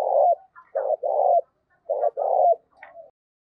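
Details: Decoy spotted dove used to draw in wild doves, giving giọng thổ coos: two phrases of a brief note followed by a long, rough, low coo, with soft higher calls after.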